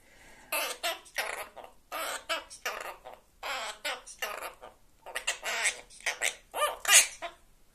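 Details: A parrot in Ukraine, undisturbed by rocket attacks, sings the song "A nam vsyo ravno" in rough, speech-like syllables, bursts about twice a second with short pauses, a hoarse imitation of human singing.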